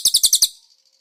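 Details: Konin, from a master recording with cililin fill-ins for training cage birds: five quick, high, sharp chirps in rapid succession, fading out after about half a second.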